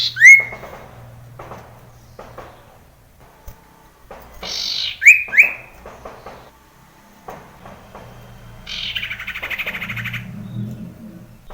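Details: Common iora, male, in the wild, used as a lure to get other ioras singing: short whistled notes rising sharply to about two kilohertz, given twice about five seconds apart, plus a harsh buzzy burst near the end.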